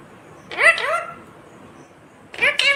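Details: Rose-ringed parakeet, a green ringneck parrot, talking: two short bursts of harsh, speech-like syllables with stacked, sliding tones, the first longer and wavering, the second brief, separated by quiet.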